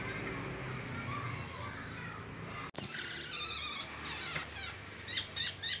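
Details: A Black-naped oriole (kepodang) mimicking White-rumped shama song gives bursts of high, rapid chattering notes and a few clear whistled phrases near the end, over a noisy background that cuts abruptly midway.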